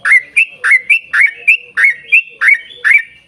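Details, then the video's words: Yellow-vented bulbul in long, rapid 'ropel' chattering song used as a lure to make other bulbuls sing; bright bubbly phrases repeated about every third of a second, each a sharp upslurred chirp, loud and clean. "trucukan gacor ROPEL PANJANG buat pancingan trucukan agar bunyi"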